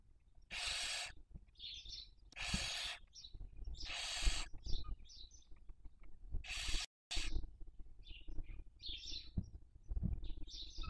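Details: Barn owls raising chicks in Cabañeros National Park, Spain, 2023 breeding season, nest webcam. Series of loud harsh hisses early on, followed by scattered high twittering chirps and low background rumble.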